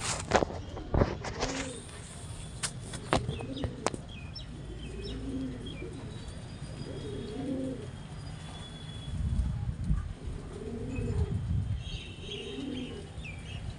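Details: Pigeons cooing during mating, low hooting coos with arched, wavering shape repeated about every one to two seconds, against steady low hum and scattered clicks and wing-flap thumps.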